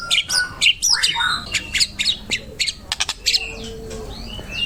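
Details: White-rumped shama song used as a training recording for other birds: a varied, busy mix of sharp chips, squeaky notes, short whistles and scratchy calls in quick succession, with background noise.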